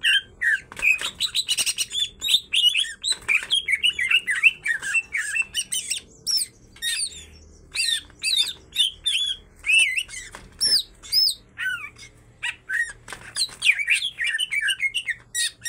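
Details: A female and a male greater green leafbird singing vigorously, their song full of kingfisher imitations: dense chattering and squawky phrases, then clusters of sharp, looping chirps separated by short gaps.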